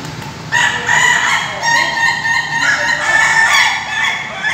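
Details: Laughing chicken (Ayam Ketawa) rooster at a crowing practice event in Bogor, Indonesia, delivering a loud extended crow broken into quick laughing pulses that rise and fall in bursts over several seconds.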